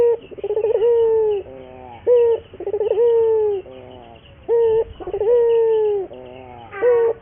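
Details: Cooing of a local Barbary dove, played to train other doves to sing often: alternating short sharp notes and long quavering coos that sag at the end, repeated several times.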